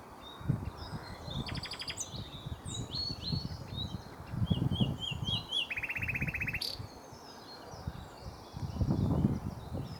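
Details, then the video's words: Common nightingale, a bird described as sulky and increasingly rare, singing in the sun in less inventive song than a nearby male: high, varied whistles, rapid trills and repeated notes in short phrases over low rumbling wind or handling noise. "A Nightingale Singing in the Sun"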